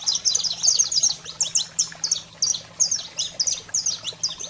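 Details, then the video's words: Saffron finch (canário-da-terra) in wild, fired-up 'fogo' song, used to stimulate pet canaries: rapid bursts of sharp, high chirped notes, clustered in quick phrases roughly every half second, with a faint steady low hum beneath. "Canário-da-terra Fogo Selvagem para Estimular a Fibra e Foguear seu Canário em Minutos"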